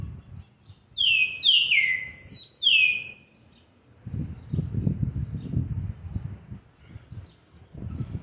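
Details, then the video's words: Seven-month-old green-winged saltator singing a brief run of four loud downslurred whistles in the first three seconds, followed by quiet with only low background rumbling and faint distant notes. "trinca ferro ( BRABO ) FILHOTE DE SETE MESES E 20 DIAS JÁ MOSTRANDO SUA GENÉTICA"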